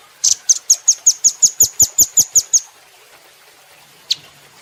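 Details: Cage-bird training recording of a velvet-fronted nuthatch: a rapid, even rattle of about thirteen piercing high chip notes over two and a half seconds, followed by a single isolated chip.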